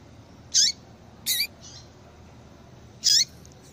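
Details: Calls of a female Yellow-bellied seedeater, used to encourage a male to sing: three high, clipped notes, the first two close together and a third after a pause, each with a faint lower trailing tone.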